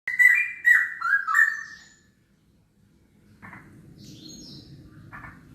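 A Straw-headed Bulbul gives a brief burst of rich, bubbling, downslurred whistles lasting about two seconds. It is followed by quiet and then a steady background rustle with faint clicks.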